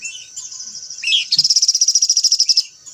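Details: White-browed laughingthrush singing: a sharp downslurred note, then a rapid, even run of about twenty bright metallic pulses lasting roughly one and a half seconds, over a steady high insect-like hiss.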